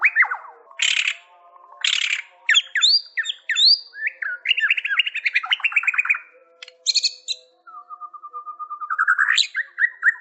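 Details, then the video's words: White-rumped shama in lively song, mixing harsh scratchy bursts, fast descending whistled sweeps, rolling trills and a long steady whistle that rises into clear looping notes, delivered in a varied, continuous stream. "Suara burung murai batu GACORRRRR"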